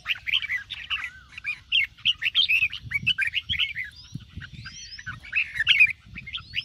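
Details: Red-whiskered bulbul kept for singing contests, morning song: continuous busy stream of chirpy whistled notes with slurred upsweeps, near-constant through the whole stretch, low rumbling noise beneath.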